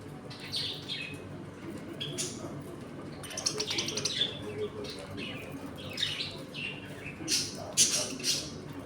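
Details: A home colony of budgies eating, playing and sometimes fighting: steady scratchy chatter and twittering from several birds, with a brief flutter of wings and louder squeaky calls toward the end.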